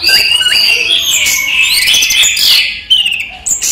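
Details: Orange-headed thrush, locally anis merah, kept in captivity and singing by day: a continuous loud warbling stream of clear whistles and slurred notes, ending in a few sharp high chips.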